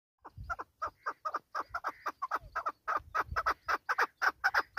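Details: Chukar partridge, Pakistan's national bird: a rapid series of short, harsh clucking notes repeated about twice per second, building in loudness and speeding into a steady chattering run toward the end.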